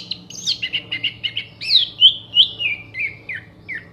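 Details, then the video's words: Orange-headed thrush in full, clear-voiced song of mimicked fill-ins for contest birds. A continuous run of quick repeated chirps gives way to louder slurred whistles that fall in pitch, with a low hum in the background. "MASTERAN ANIS MERAH GACOR FULL ISIAN TEMBAKAN TAJAM VOKAL JERNIH DURASI PANJANG ISIAN BURUNG LOMBA"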